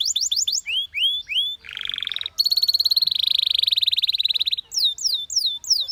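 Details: Canary performing a song of quick upslurred whistles, then a lower buzzy tour, followed by a long, loud, rapid metallic trill, ending with high, repeated downslurred whistles.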